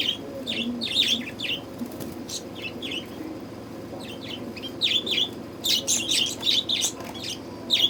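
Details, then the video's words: Budgerigars in summer heat chattering in quick runs of high, sharp chirps and warbled squeaks, clustered in lively bursts near the end, over a faint low background hum. "budgies parrot 🦜ko lagi garmi"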